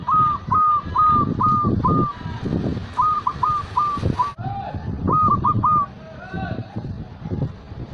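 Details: Zebra dove, local Indonesian bird, singing its cooing song meant to bring other doves into breeding condition; short whistled hooked notes repeated rapidly in bursts, with low rumbling background noise.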